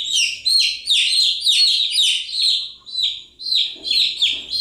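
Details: A brood of chicks giving continuous shrill peeps, downward-slurred notes running in quick overlapping series, with a slight rustle late on.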